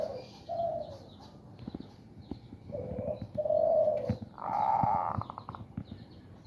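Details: Hand-stroked caged male zebra dove in breeding condition, in a woven bamboo cage, utters a series of low rounded coos ending in a louder, richer rolling phrase, with faint chirps and handling clicks.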